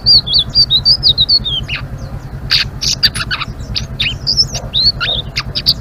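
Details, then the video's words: A Blue-winged leafbird gives energetic ngeriwik chatter: a fluent high warbling phrase first, then scattered sharp, abrupt notes and short twittered slurs, with a low steady hum underneath. "Suara Burung Selendang Biru Gacor❗❗ Ngeriwik"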